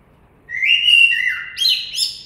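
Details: Common blackbird song: a clear fluted whistled phrase sliding downward, then a higher squeaky twittering flourish at the end, in a quiet setting.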